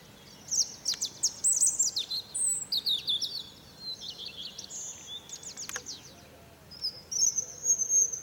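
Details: A European robin sings at dawn on a fir tree, pouring out loud, varied phrases of high sharp notes, rapid trills and drawn-out thin whistles, separated by short pauses.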